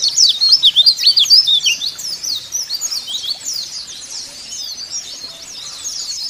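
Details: White-eye singing in a cage, a song played to make kept white-eyes start singing: loud, fast, high twitters at the start, then a softer continuous warbling chatter of tumbling notes.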